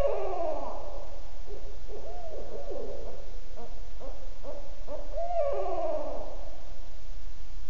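A Barred Owl gives its rhythmic, hooting who-cooks-for-you series, deep notes swooping up and down and ending in a drawn-out, quavering hoo-aww.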